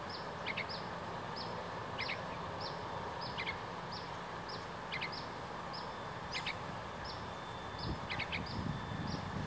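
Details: Juvenile yellow-vented bulbul calling loudly even as a person approaches: short, high, sharp notes, singly or in quick pairs, about once a second, over a steady rushing background of wind or distant traffic.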